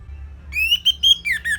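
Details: Training recording of an Orange-headed thrush: rising clear whistled notes in quick succession, then two lower slurred downward syllables at the end.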